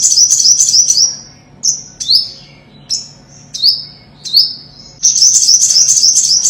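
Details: Five-coloured or olive-backed sunbird song used as a bird-trapping lure: a high rapid twitter, a string of five thin downslurred whistled notes, then the fast sparkling trill resumes loudly.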